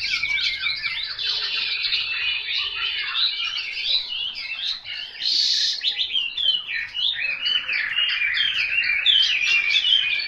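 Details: Selected Chinese hwamei in full song, delivering a fast, continuous torrent of high warbles, slurs and trills with a brief harsh burst midway, then ringing varied whistles building louder at the close.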